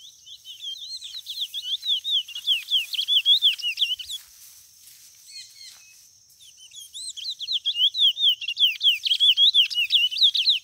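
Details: White mutation chestnut-bellied seed finch singing: rapid, varied whistled notes sliding up and down in quick succession, a burst of about four seconds, a short pause, then a second long run of the same high, lively phrases.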